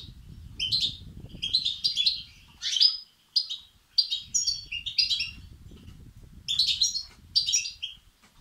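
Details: Goldfinch nestlings begging, used to rouse male European goldfinches; clusters of high, chirping twitters repeated throughout, with low background rumble.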